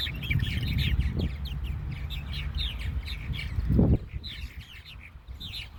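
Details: Purple martins, back for the summer at Fireman's Beach, Conneaut Lake, twitter while flying in and out and checking nest homes, probably picking mates. Several birds overlap in a steady stream of rapid, gurgling chirps, over low wind rumble and dull thumps.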